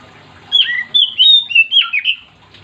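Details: Oriental magpie-robin in lively song intended to get other magpie-robins singing. One short phrase of six or seven loud, slurred whistles, some swooping down then up.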